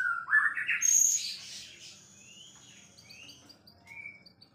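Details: White-rumped shama, a champion murai singing: a loud rising burst of whistled notes, then a long thin high whistle and a few soft upward-slurred notes fading out.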